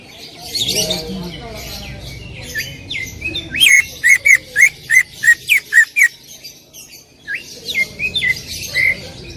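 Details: Greater green leafbird delivering loud 'tembakan' song: twittering opening, then about ten sharp, evenly spaced, ringing whistles in a rapid string, ending with scattered rising notes.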